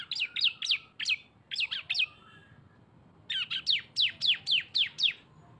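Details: Cisem lure song combining two birds: two short groups of three quick descending chirps, a silent gap, then a steady run of eight loud, even downward-slurred notes.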